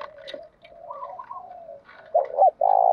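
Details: Spotted dove cooing as a lure for wild doves and to spur fighting; soft murmured coos first, then one loud phrase of two short notes and a long coo at the end.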